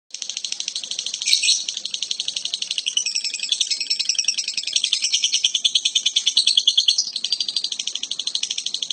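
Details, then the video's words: Lovebird making an unusual sound: a long, continuous run of rapid, high-pitched rasping pulses, close to ten per second. The pulses are steady and dense, and one brief louder squeak comes near the start. "love bird suara aneh tapi nyata"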